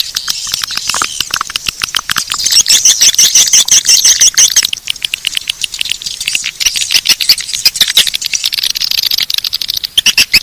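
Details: Bangkit 18 swiftlet attraction call: long run of fast, rattling high clicks and chirps, several per second, with a brief bright whistled trill near the middle and no other sounds.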